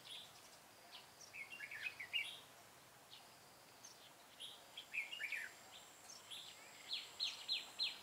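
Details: Red-whiskered bulbul singing a fighting song during a bulbul trapping session, 25 April 2017. Bright chirped notes and quick warbled phrases come in scattered clusters, busier toward the end, over steady outdoor hiss.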